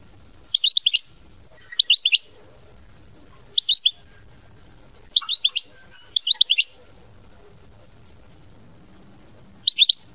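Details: European goldfinch singing in the style called mama binette: short, high, twittering bursts of quick notes, repeated about every one to two seconds with quiet gaps between, over faint low background noise.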